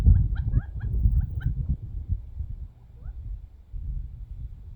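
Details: Wild young quail, only a few months old, come in from the desert to eat bird seed and fight over it; quick clusters of short chirpy notes in the first second and a half, one more chirp later, over low rumbling noise.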